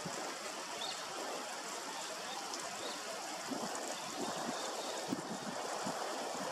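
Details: Continuous rushing and trickling of a stream fills the scene, without any clear animal call.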